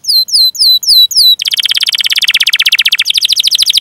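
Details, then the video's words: Master recording of a canary for prompting other birds: five hooked whistled notes in a slow series. These break into a fast, rich rolling trill that shifts slightly lower in tone partway through. "Masteran Suara Burung Kenari Gacor Panjang cuit cuit Ngerol untuk Pancingan Kenari!"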